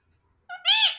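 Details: Pet parrot, part of a talking male and female pair, utters a brief two-part word, a short nasal note then a louder rasping harmonic sound that tails off, with quiet speech before it.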